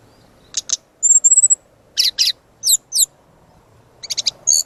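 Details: Brown-chested jungle flycatcher song for luring and tutoring birds, full and varied: paired high buzzy notes, a thin trilled whistle near the top, then quick descending slurred chips and a closing rattle, with quiet low hum behind.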